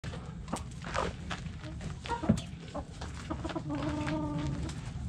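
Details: Backyard chickens in a coop, hens clucking in a busy flock: scattered short clucks and a few drawn-out tonal notes, with steady low rumbling background noise.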